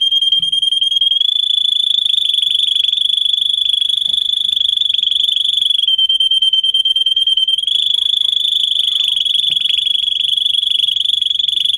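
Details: Continuous high canary roll lasting the whole stretch, steady and rapid, dipping slightly in pitch midway then rising again; meant for teaching young canaries their song.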